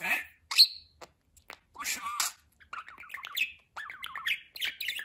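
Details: Pet budgerigar talking: raspy, high-pitched speech-like phrases in short bursts, followed by a run of quick chattering warbles and chirps.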